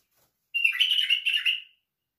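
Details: White-eared bulbul song: a single rich warbled phrase of about one second, opening with a clear note and running into a quick chattering, slightly buzzy series, with nothing else heard around it.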